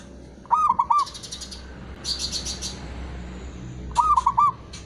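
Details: Local zebra dove cooing twice, about three and a half seconds apart. Each phrase is a rapid run of four low rolling notes, with high buzzy pulsed chatters from another bird after the first phrase.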